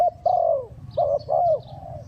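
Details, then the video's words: Rapid cooing from a spotted dove used to draw birds to a trap: three to four low coos, each sliding slightly downward at the end, closely spaced, with soft distant chirps above. "Chim cu gáy gù tốc độ"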